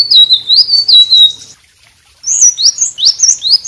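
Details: White-rumped shama in full song, used as a training model for other birds: a loud phrase of high sliding whistles, a short pause, then a fresh burst of rapid rising and falling whistled notes.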